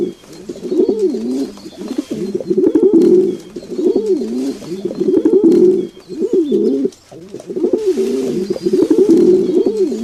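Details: Low, throaty pigeon coos in bursts of several seconds, each phrase wavering up and down, with brief quieter gaps between the groups and soft background noise.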